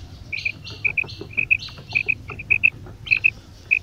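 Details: Calling quail, female and male, giving quick paired high notes repeated every half second or so, with softer buzzy chirps between.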